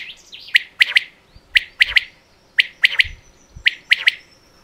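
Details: Common quail: four bright triplets of short, piercing notes roughly a second apart, each preceded by a faint breathy lower sound, with light low knocks in the background.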